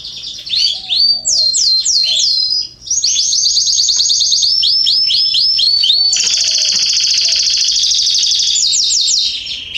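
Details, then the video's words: Canary song from a garden in September 2020: varied tours of swooping whistled notes and rapid rolls, building into a long intense buzzy trill, then more swooping notes; faint low chirps underneath. "Canaries singing in my garden"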